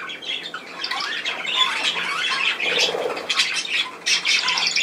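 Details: Budgerigar chatter of scratchy squawks and slurred trills, blending into a rough warble with a few louder sharp notes near the end.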